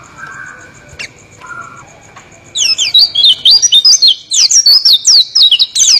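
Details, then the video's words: Oriental white-eye, locally called pleci, delivering a rolling song: quiet faint notes at first, then a rapid, continuous stream of thin high whistles and trills with sharp downward and upward slurs. "suara burung pleci ngeroll"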